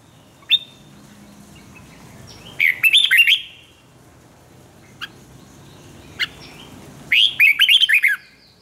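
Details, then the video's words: Red-whiskered bulbul, decoy for voice training, gives two loud warbled phrases of rapid slurred notes several seconds apart, with scattered single sharp chips in between. "chào mào luyện giọng hót hay"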